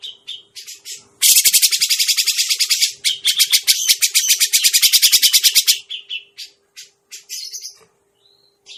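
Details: Lure sound of a Grey-cheeked bulbul for catching birds: a few clipped chirps lead into a long, loud, buzzy rattle of rapid repeated pulses, trailing off into spaced scratchy notes and a thin whistle.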